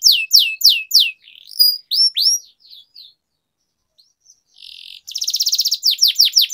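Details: Long-rolling canary song for singing training: scattered falling whistles and a few softer slurred notes with gaps, then a buzzy roll leading into a fast pulsed trill of descending notes.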